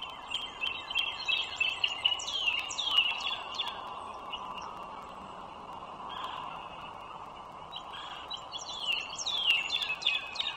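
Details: Morning of 21 March 2023 in Loudoun County, Virginia, with two wild bald eagles by a busy toll road: rapid high-pitched chittering series early and again near the end, thin whistled notes stepping downward, over constant vehicle noise.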